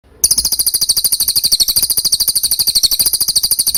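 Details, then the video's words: Training song of a cililin for cage birds, recorded clearly: a continuous shrill, very high trill of fast pulsed notes running steadily without a break for over three seconds. "MASTERAN CILILIN SUARA JERNIH"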